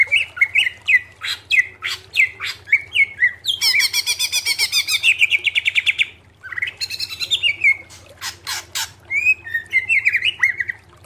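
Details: Greater green leafbird singing for cage-bird training: varied warbled whistles and sharp notes, then a long rapid harsh chattering trill, a brief gap, more chatter and quick slurred whistles, over a soft low hum.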